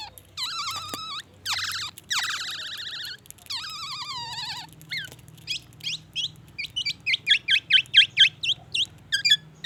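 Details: Black-naped oriole in full song with white-rumped shama imitations: harsh wavering nasal notes open the passage, giving way to a fast, accelerating series of short down-slurred whistles.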